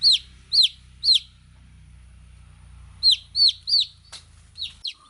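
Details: Baby chicken chicks peeping: short, high, downward-sliding chirps in two bursts of three, then a few fainter scattered peeps and a single sharp click, over a low steady hum.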